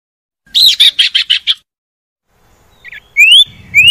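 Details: Common iora song played to coax reluctant caged birds into singing: a quick burst of five buzzy chattering notes, a short silence, a soft low note, then two clear rising whistled slurs.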